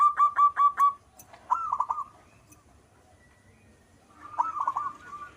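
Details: Local zebra dove (perkutut) singing vigorously in manggung style: five quick ringing coos, then a short rolling trill, and after a pause another fuller burst of rapid, bubbling cooing notes.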